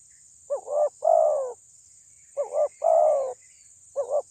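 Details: Loud spotted dove lure aimed at provoking rival birds: repeated coo phrases about every two seconds, each a wavering double note then a long drawn coo, with faint higher chirps from other birds in the background.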